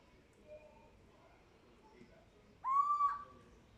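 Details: Little owl calling once near the end: a single strong mewing note that rises quickly, then holds a level, slightly upslurred tone for about half a second before fading, against a quiet background.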